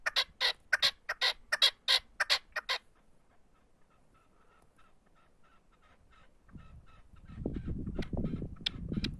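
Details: Male partridge used as a decoy bird, singing while perched on a motorcycle: a run of about ten loud, harsh, rapidly repeated notes over three seconds, then faint softer notes and a rising rumbling engine-like noise.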